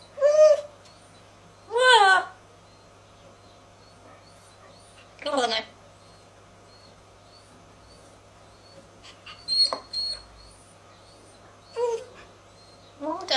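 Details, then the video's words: Pet African grey parrot, hatched in 1999, mimicking human speech indoors: short distinct spoken phrases in a clear voice, such as "shut up" and "are you ready", separated by quiet pauses of one to three seconds. "Is George the parrot the clearest talking bird"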